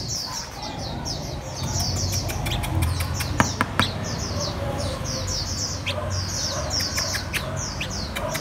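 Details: Red-whiskered bulbul learning to eat cricket abdomen, giving thin, high chirps in quick, uneven bursts, two or three a second, over sharp clicks and a low background hum.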